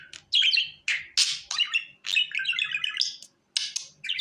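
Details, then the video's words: Budgerigar calling to come onto the hand, with loud sharp chirps leading into a fast, chattering warble of trilled and buzzy notes, then a short pause and more chirps. "Muhabbet kuşu Ele Çağırma"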